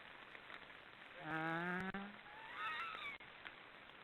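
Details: Black storks snoring: a hoarse, harmonic call lasting about a second with a low nasal base, followed by a fainter rising, squeaky wheeze.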